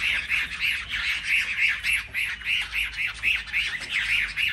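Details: Chinese hwamei singing competitively among selected market birds: rasping, chattering notes repeated quickly and evenly, roughly three to four per second, over a noisy background.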